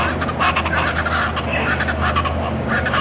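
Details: Speckled chachalacas (Ortalis guttata) at Buena Vista Peak, eastern Andes–Llanos, Colombia, in June, give harsh, grating, overlapping calls in a continuous raucous chorus over a steady low engine-like rumble.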